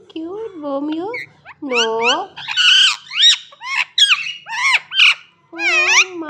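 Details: Talking parrot: a run of speech-like phrases with a low, voice-like tone that bends up and down, mixed with sharper high squawks and short rising notes, ending in a longer nasal syllable.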